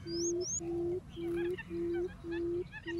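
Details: A quail gives the low 'um' lure call, a string of level, hollow hoots about half a second each, evenly spaced. Two quick high upslurred whistles come from another bird near the start, with soft chirps later.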